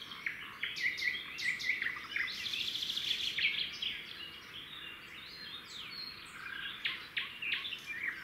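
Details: Wild red-backed shrikes at a roadside nest as the male delivers a grasshopper and the female feeds the chicks. Short sharp chirps repeat in quick series, then dense twittering. Mixed bird sounds continue throughout.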